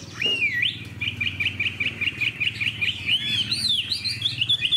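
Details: Fan-tailed hwamei kept in a cage, described as calm and well-behaved with a fine voice, singing an opening swooping whistle followed by a long string of rapid, evenly repeated warbled notes, over faint low hum.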